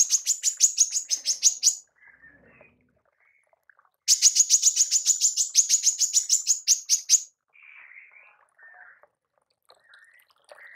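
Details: A female manggar's tembakan, used to master songbirds: two quick volleys of sharp, high, clipped notes, the second about three seconds long, followed by scattered soft, lower buzzy twitters.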